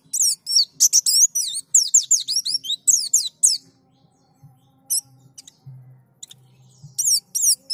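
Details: White-eye song for luring other white-eyes to sing: about three seconds of quick, high, swooping chirps, then near quiet with a faint hum, and a final few high notes.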